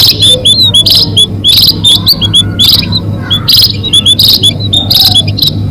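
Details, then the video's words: Lure call of munia for trapping birds, high chirps and short rising notes repeated in rapid clusters about every half second, with constant low droning hum behind. "SUARA PIKAT BURUNG BONDOL ATOU BURUNG PADI"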